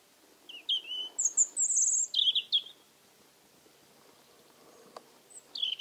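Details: Autumn evening song of a European Robin near an old Alentejo house, October 2014, in unseasonal warmth: a high, sparkling phrase of slides and trills lasting about two seconds, a long silence, then a new phrase beginning.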